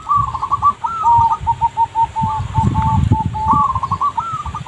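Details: Zebra dove lure recording, loud and nearly continuous: rippling strings of quick staccato coos that dip slightly and return, repeated in overlapping phrases with low rumble beneath.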